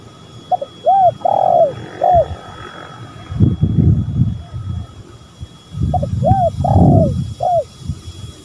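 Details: Spotted dove lure call, male and female calling: two cooing phrases, each of arched notes around one long sliding coo, separated by a stretch of low rumbling noise.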